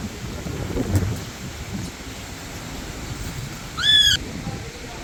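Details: An Alexandrine parakeet perched on an electric wire gives one short, harsh, rising call near the end, over steady low wind or traffic rumble.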